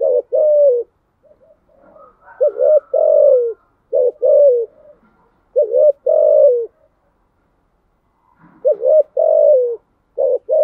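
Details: Repeated thúc gù cooing of a spotted dove: about five phrases, each short hooked notes leading into a long falling coo, roughly nineteen per minute.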